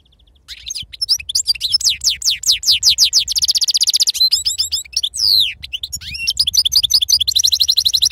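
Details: Wild-type European goldfinch delivering its 'serfati'-style song: a long unbroken stream of fast liquid twitters, rolling trills and bright descending whistles, with a short nasal buzz midway and steady low background hum.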